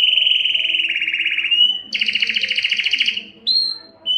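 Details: Excited canary singing to mate, its song meant to stir males and females into breeding: loud rolling trills held steady, one dropping lower, then a brighter buzzy rattle and short whistled notes.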